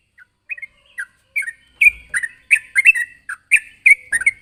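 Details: Sooty-headed bulbul rival-calling: bright chirped notes roughly once per second, growing louder and fuller, some doubled, with a soft low thump near two seconds.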